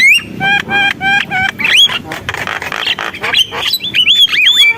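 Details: Javan myna song opening with a row of repeated clear, ringing notes, then shifting into rising and falling whistles and harsh chattering phrases.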